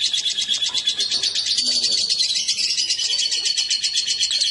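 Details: Rapid, scratchy lovebird chatter from a male and female placed together, with many quick chirps each second and a thin whistled note running through it.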